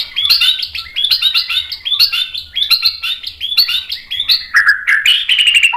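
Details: White-rumped shama lure song to make other birds sing, a fast, high, scratchy chatter repeated in quick bursts about twice a second, ending in lower slurred whistles.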